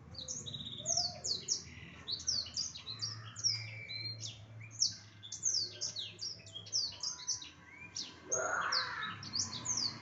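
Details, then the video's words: Black-throated canary singing steadily, a dense stream of quick high chirps and sharp downslurred notes, bursts packed closely with brief gaps, over a faint low hum and a short lower sound near the end. "burung blacktroats gacor dor"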